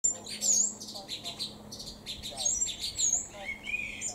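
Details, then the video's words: Song thrush singing in Cambridge, UK, on 28 May 2021 at 2:53 pm; bright, varied high phrases, some whistled and some scratchy, delivered in quick bursts with short pauses, against a low steady hum. "Song Thrush bird singing"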